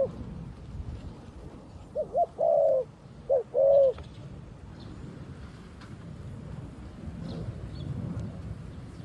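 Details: Cambodian decoy dove calling wild doves in; one phrase of soft low coos, a bouncing double note and a longer steady hoot given twice, over faint background hum.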